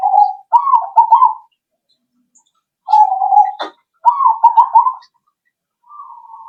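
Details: Lure call of a zebra dove meant to draw answers from other birds: repeated trilled coo phrases with pauses between them. A brief click sounds between two of the phrases, and a softer, steadier coo follows at the end.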